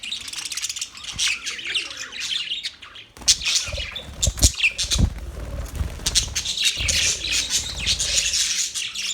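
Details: Budgies chatter in high, scratchy warbles, interrupted midway by low thumps and rustling, then resume a dense, continuous chirping.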